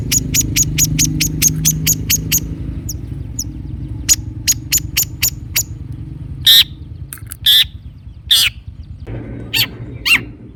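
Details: Lure song of a Long-tailed shrike, meant to make a stuck bird answer: quick high ticks, a pause, spaced sharp notes, then loud harsh rasping bursts, with low rumbling noise underneath at first.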